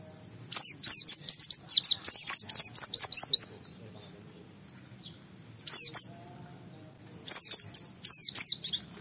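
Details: Oriental white-eye (pleci) in vigorous song to draw rivals into singing: an opening three-second run of fast, high, tumbling twitters, a silent stretch, then shorter sharp bursts of sliding whistles.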